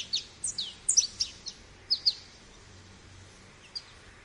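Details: American goldfinch giving sparse, thin high chips and short twitters, clustered in the first two seconds and then one lone note, over a steady background hiss.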